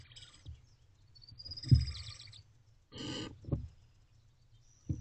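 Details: Barn owlet in a nest box at dawn, 5:42 am on 27 May 2023, twittering happily, likely while holding a rodent: thin high whistled notes and raspy bursts between low thumps and shuffling.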